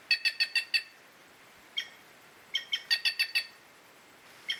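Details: Curl-crested jay, a Brazilian bird, giving bursts of short harsh repeated notes with stacked harmonics, a run of five, a single note, then a rapid run of about eight and a last note, over a quiet background.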